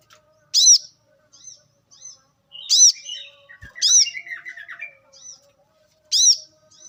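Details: Wild brown-throated sunbird recorded in nature as a lure for training birds. Loud, sharp, very high chips come about once a second, with softer twittering and a scratchy warbled phrase between them.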